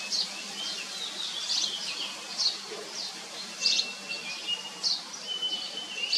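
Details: Common iora bringing food to its chicks. Sharp, high chirps burst out about every second, mixed with thin level whistles and a faint continuous hiss behind them.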